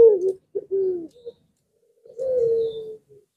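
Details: Barbary dove (Streptopelia risoria) coos, low and soft: a short burst of three or four throaty notes, a pause, then one long, slightly falling coo; used as a lure to prompt reluctant doves to answer.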